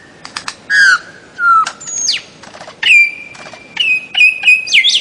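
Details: Bird-of-paradise song: sharp clicks and a falling whistle, then a swooping downslur and several long, level whistled notes, each ending with a twisting flourish.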